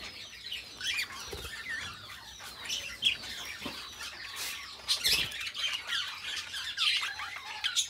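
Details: Pet budgerigar pair with low, murmuring chatter: soft buzzy trills and occasional sharp squeaks, with a louder burst of scratchy notes partway through.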